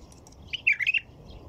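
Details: Single warbled phrase from a white-eared bulbul, several rapid fluty notes running together, preceded by faint soft chips, in otherwise quiet surroundings.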